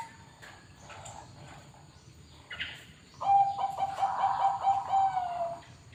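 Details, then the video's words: Perkutut Bangkok zebra dove from a bird farm gives one sustained phrase of soft, even cooing notes after a quiet start, with faint chirps and light rustling in the background. "Perkutut Bangkok"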